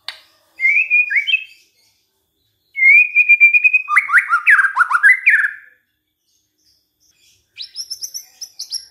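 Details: White-rumped shama lure song used to make other shamas sing: a short whistle flourish, then a long level whistle running into a rapid tumbling chatter, and finally a high thin phrase after a pause.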